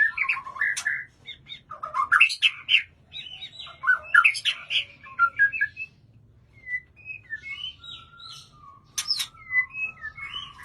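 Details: Kept white-rumped shama singing: varied loud whistled phrases mixing low fluty notes with sharp high chips and squeaky bursts, pausing between phrases, then softer drawn-out whistles and a final burst of rapid notes.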